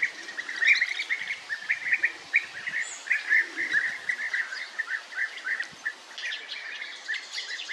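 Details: European bee-eaters, migrants breeding in colonies in earthen burrows, calling with short, rolling, liquid notes in a steady chatter of many birds, with occasional higher chirps of other birds.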